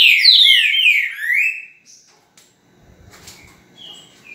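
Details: Trinca-ferro, the green-winged saltator, singing on 10 November at 8:05 in the morning: one loud, rich whistled phrase falling over about one and a half seconds, then faint distant notes and soft background noise.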